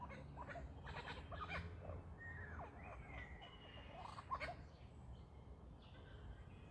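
A lyrebird gives a jumble of varied sounds: sharp clicks, smooth gliding whistles and chattering notes, over a steady low rumble.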